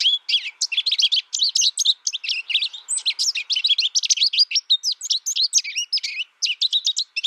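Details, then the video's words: American Goldfinch singing a long, rapid, rambling run of high twittering notes and short sweet chirps, varied and nearly continuous with brief pauses, steady throughout; no other clear sounds. "American Goldfinch Bird Sound, Bird Song"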